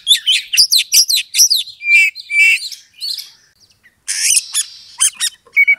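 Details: Oriental magpie-robin singing a lure song meant to slowly raise a rival's aggression for fighting; quick series of bright chirps and whistled slurs, with long pure whistles near two seconds and a harsh buzzy rasp later.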